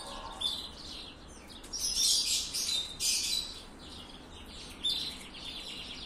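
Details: Copper-coloured canary in song, delivering rich, high twittering phrases that swell into dense loud passages around the middle, then fall back to softer, scattered trills and chirps.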